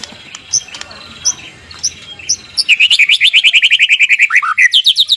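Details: White-rumped shama morning song, played to set other shamas singing: scattered faint chips, then a fast, steady run of about twenty bright repeated notes sliding gently downward, ending in higher twittering.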